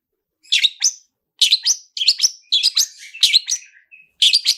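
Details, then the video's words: Long-tailed shrike lure song with rich fill: quick chirpy notes and upward-slurred whistles in short clusters, separated by half-second pauses. "SUARA TOET TOET SAMBUNG ISIAN MEWAH DIJAMIN LANGSUNG ON, PANCINGAN CENDET GACOR ISIAN MEWAH"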